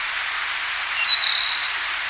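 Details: A forest blue-and-white flycatcher (Cyanoptila cyanomelana) sings in spring to early summer for courtship and territory: two clear, high, drawn-out whistles, the second longer and slightly lower, over a steady hiss.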